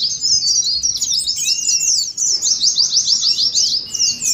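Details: Continuous ngeriwik twitter of Oriental white-eyes (pleci), meant to provoke captive birds to sing: rapid, high, rattling chirps running together, ending in a run of evenly spaced downslurred notes and a faint whistle.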